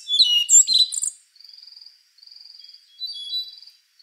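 A Rufous-brown Solitaire opens with a loud, tumbling phrase of high, rich whistles, then gives three thin, rapid beaded trills, each lasting about half a second.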